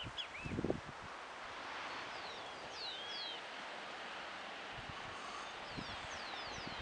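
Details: Thin, high slurred whistles, mostly falling, come in short bursts from hooded siskins at Parque del Plata, Uruguay, 17 November 2020. A loud rustle or thump near the start, then steady background hiss.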